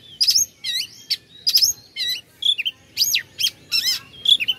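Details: An oriental magpie-robin, song used to provoke rivals, gives clean loud phrases of rising and falling whistles mixed with buzzy trills, each phrase separated by brief gaps.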